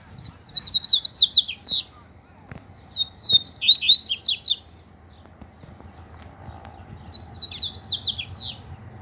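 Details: Captive male double-collared seedeater competing in song with a loose wild male; three quick, high trilled phrases of sweeping, chattering notes, each lasting over a second, separated by short pauses against a quiet background.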